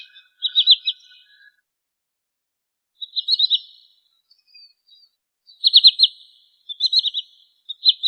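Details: Sandpiper known locally as trinil sawah gives repeated short volleys of quick, high, trilled notes about every one to two seconds. A faint lower whistle sounds near the start.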